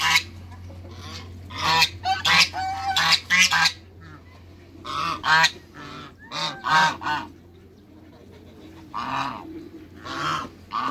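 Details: Three African geese meeting new geese on a farm: loud, harsh nasal honks in bursts, some doubled and stacked, separated by short pauses, with a steady low hum underneath.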